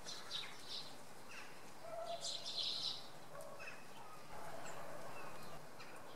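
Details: Common redpoll calls recorded on a Sunday morning at Oksywie: a cluster of high, buzzy chattering notes, loudest a few seconds in, then scattered softer chips against a constant low rumble.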